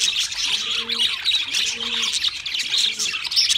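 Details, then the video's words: A group of pet budgerigars chattering and warbling nonstop with quick high twitters, while faint low steady tones recur about every second underneath. "Singing Sounds My Budgies Birds"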